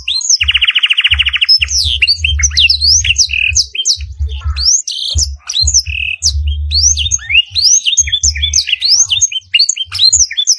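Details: Long canary tutor song packed with black-throated canary phrases: an early rattling trill, then continuous upward-sweeping whistles and sharp chips, over repeated low muffled thuds.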